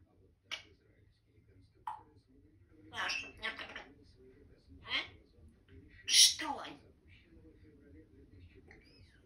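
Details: Pet male Grey parrot indoors in a small room, declaring love: short bursts of mimicked speech-like syllables, some harsh and squawky, spaced over several seconds with quiet gaps between.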